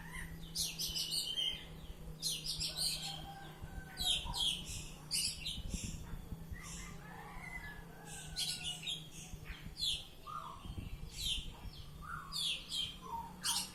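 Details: Oriental magpie-robin singing ngeplong-style, spaced harsh high bursts and short whistled notes repeated irregularly, over a constant low electrical hum.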